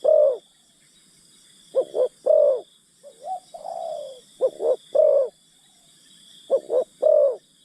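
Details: Forest-luring spotted dove decoy: repeated three-part coo phrases, two quick hollow notes and a longer one, with a drawn-out falling coo between, recurring every few seconds over a steady high insect drone.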